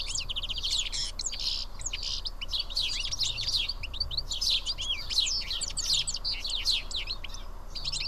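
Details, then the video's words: House sparrows sharing food at Karyotissa, Greece, fill the air with constant, crowded chirping. High, sharp notes overlap continuously, with a brief lull near the end. "Σπουργίτια (ήχος και εικόνα)"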